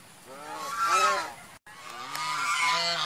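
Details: Swan giving two drawn-out, nasal, trumpet-like honks separated by a brief break, with a hissy, noisy background.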